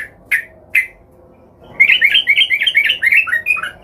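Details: Sooty-headed bulbul singing while agitated and seeking a rival, used to trigger other bulbuls to sing. Two spaced chips lead into a fast, bubbly warbling phrase of tumbling rising and falling notes.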